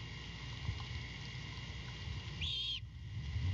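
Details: Great horned owlet on a nest at night, its mother back with a rat: a single short, level, hoarse whistled screech against constant low-frequency rumble.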